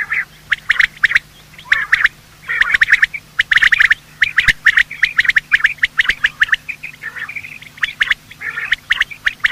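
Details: Morning call of male and female quail, a recording meant for hunting: dense runs of scratchy, chirping notes bunched in groups, with short pauses between bursts and a steady low hum underneath.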